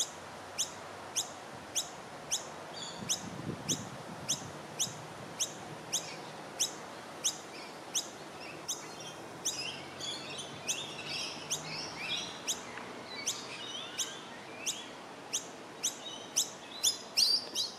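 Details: Noisy Miner fledglings in Melbourne, Victoria, in September 2020 beg with sharp, high chips repeated about twice a second while being fed by adults of their colony.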